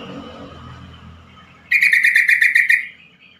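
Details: Quick-response call of a yellow-vented bulbul, played to set stalled or newly caught bulbuls calling: after a quiet start comes one sharp, buzzy rattle of eight or nine fast pulses lasting about a second.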